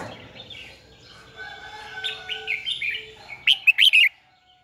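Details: Caged red-whiskered bulbul decoy singing to stir rival birds into song; soft warbling phrases build into a loud closing burst of four sharp, rising whistled notes.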